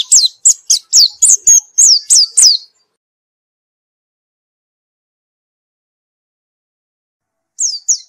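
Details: White-eye singing after therapy: a quick series of about nine high, downward-sweeping notes over two and a half seconds, a long silence, then two more sweeping notes at the end.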